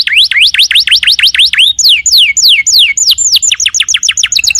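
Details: Canary in vigorous song, rapid V-shaped whistled notes repeated several times a second, then longer falling slurs and a fast series of short high chips.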